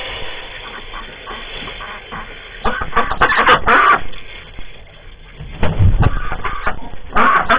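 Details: Domestic ducks on a January morning with the year's first snow, hungry and restless after being cooped up; quiet at first, then bursts of chattering quacks near the third second and again later.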